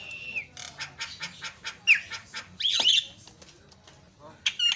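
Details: Javan myna singing to stir up rival mynas: a series of harsh, scratchy chuck notes about every quarter second, then loud squealing whistles and a short grating burst near the end.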